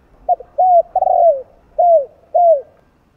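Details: Spotted dove (Spilopelia chinensis) song: a run of soft, low, arched coos, about five notes in under three seconds, with a faint murmur in the background.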